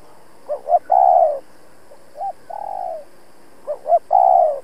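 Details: Decoy spotted dove cooing to lure wild rivals: two clipped notes into a loud sustained coo, a softer short coo and long quieter coo, then the loud phrase repeated.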